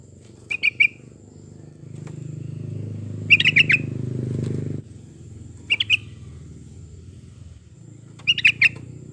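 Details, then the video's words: Song of a yellow-vented bulbul, played to draw out song from other birds: brief bubbly phrases of a few quick chirping notes, repeated every two to three seconds, over a steady low rumbling background noise. "kicau burung trucukan"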